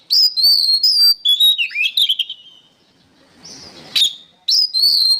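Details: Lively oriental magpie-robin song used as a master recording for training songbirds: clear high whistles and chattering notes. A drawn-out hiss follows, then a sharp click and a fresh burst of whistles.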